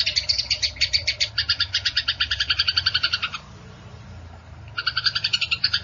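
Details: Eurasian tree sparrow fighting: a burst of rapid chirps for over three seconds, a pause of about a second and a half, then the fast chirping starts again.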